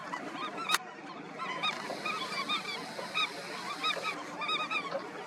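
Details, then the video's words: A breeding colony of Indian skimmers calling: scattered nasal barks from several birds, some clustered, some single, over a constant low background hum and one sharp click near the start. "Colony of Indian Skimmers"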